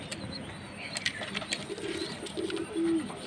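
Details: A short, low Jacobin pigeon coo rolls out near the end, after scattered clicks and faint high chirps from other birds.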